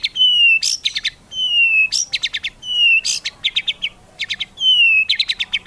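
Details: Song fill of a white-rumped shama, meant to spur other shamas to sing: a clear whistle sliding slightly down, followed by a rapid stutter of sharp buzzy notes, the phrase repeated about every second.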